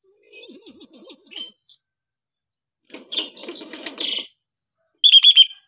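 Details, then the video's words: Hill myna calling in varied ways, first with low wavering warbled notes, then a noisy jumble of rasping sounds, and finally a loud harsh squawk. "variasi suara burung beo"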